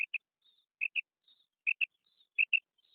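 A female quail gives paired short, high notes, two quick peeps repeated about every 0.8 seconds, with faint thin chirps between.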